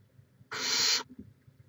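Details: Single rasping hiss of about half a second from a barn owl at its nest in Chula Vista, California, recorded 18 May 2017, against faint low background noise.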